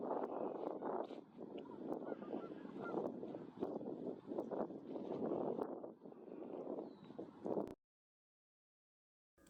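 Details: A large flock of Canada geese (Branta canadensis), just flown in to a pond at Cosumnes River Preserve near Sacramento, California, gives a dense, overlapping chorus of deep, nasal honks for about eight seconds before the sound cuts off.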